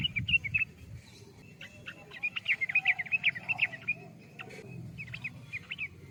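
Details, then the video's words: Sooty-headed bulbul singing lively, rapid runs of chirpy, slurred whistles, a dense burst in the middle, then softer scattered notes, with low background rumble. "burung trucukan"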